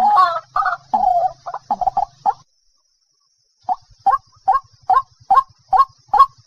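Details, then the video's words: White-breasted waterhen giving harsh, rasping croaks, then a pause and a steady series of short, clipped hooting notes repeated about every half second. "Jal murgi ki Awaaz 07/2024. TUFAN. Waterhen Call Sound."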